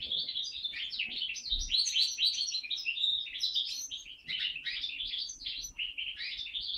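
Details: Song of a 2012 home-bred hybrid of a linnet and a Waterslager canary, recorded in 2013: a continuous, fast medley of twittering notes, short trills and slurred whistles, changing phrase every second or so, with brief low knocks in the background.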